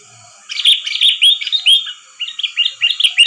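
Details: Sooty-headed bulbul calls used as a trapping lure: bright, bubbly chirping phrases around mid-high pitch, delivered in quick bursts after a short silent start, with thin high ticks above.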